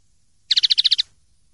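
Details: Common linnet in clean style (pardillo limpio), 2023/2024: one short, high trill of eight evenly spaced bright notes lasting about half a second, over faint low background noise.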